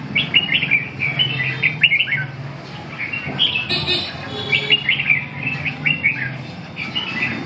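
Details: Red-whiskered bulbul in training, singing brisk chirpy phrases that repeat almost continuously over a low background hum, with a wing flutter midway.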